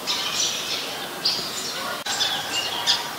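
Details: Eurasian tree sparrow, a very common resident in Ubon Ratchathani, Thailand, recorded 10 May 2020: bright, scratchy high chirps in loose bursts, with a steady hiss of outdoor background beneath.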